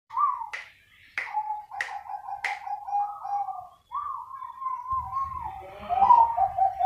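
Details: Bangkok-type zebra doves, many birds calling back and forth: soft trilled coos running together in a rolling chorus, with sharp click-like snaps in the first half and a low rumble toward the end.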